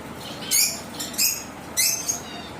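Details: Zebra waxbills in an aviary giving three short, high, thin chirps spaced about half a second to a second apart, with light background hiss between calls.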